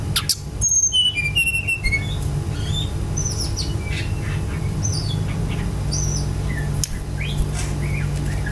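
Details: Brown-chested jungle flycatcher song used as a lure to spur other birds into singing: a burst of high, clear whistled notes stepping downward in the first two seconds, then scattered faint chirps over a steady low hum.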